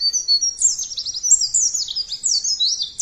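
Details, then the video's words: Unbroken stream of thin, very high white-eye song, a lure for other singers: fast zigzagging chirps and squeaky slurred notes pour out with no pauses. "Pancingan Pleci Ampuhhh,,, Cepat Ngeplong Dan Bongkar isian!!!"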